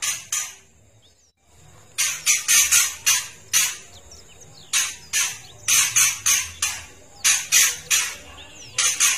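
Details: Oriental magpie-robin female producing a rapid trotol rattle meant to excite males; dense series of harsh, scratchy bursts repeated quickly in runs after a short silent gap.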